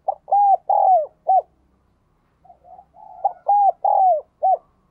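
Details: Spotted dove singing in the resonant 'giọng đồng kim' style, also called 'giọng đồng chuông': two matching phrases of arched hollow coos with a long falling note, the second phrase introduced by soft murmuring.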